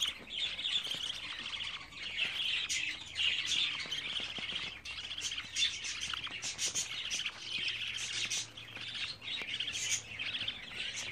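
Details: Twenty-four-day-old budgerigar chicks produce a constant harsh, wheezy chirring mixed with short squeaky notes and clicks, several birds calling at once.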